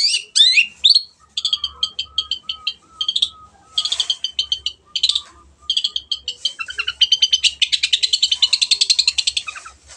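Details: Energetic long-tailed shrike singing, offered as a lure to get reluctant birds to sing: a few swooping whistles, then clipped repeated chirps in short bursts building into a long rapid buzzy trill.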